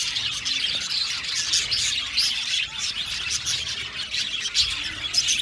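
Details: Several budgerigars in an aviary colony singing and chirping, a lively stream of high warbling twitters with occasional louder squeaky notes over constant background chatter.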